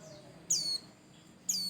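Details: Lively white-eye song meant to stir other birds into singing: two sharp, high-pitched, falling chirps spaced about one second apart, with faint low background noise.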